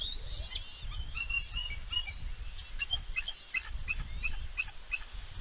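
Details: Bald eagle at the West End nest on 4 July 2022, after chasing an intruder from her eaglet; a drawn, high whistle followed by a rapid, even series of short, sharp piping notes, with steady wind rumble underneath.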